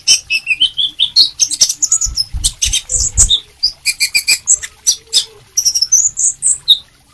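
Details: Sunbird singing vigorously and nonstop: a fast, high-pitched twittering of thin chirps and short whistled notes, some rising and falling, delivered in quick bursts and broken by sharp dry clicks and rustling taps.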